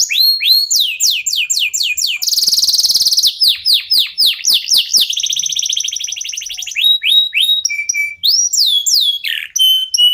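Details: Local canary singing at length, used to trigger singing in other birds: alternating rising whistled sweeps and rapid rattling buzzy trills, ending with held whistles and quick slurred notes.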